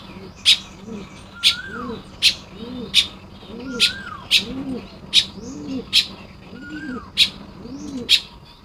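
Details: Nest-building Baya weaver, Lopburi, Thailand, morning of 1 May 2026: sharp, high chirps repeated about twice a second, with low rhythmic cooing and a few slurred, descending whistles from other birds behind.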